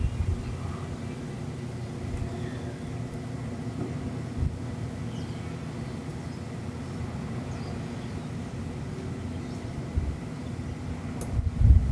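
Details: Steady low rumble of passing vehicles with a few faint knocks, and no animal calls.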